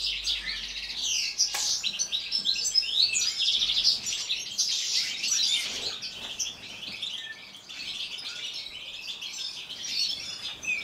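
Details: European goldfinches singing in an aviary in winter, said to sing all day: a continuous, high, tinkling twitter of quick chirps and trills, several birds overlapping throughout with no other clear sounds.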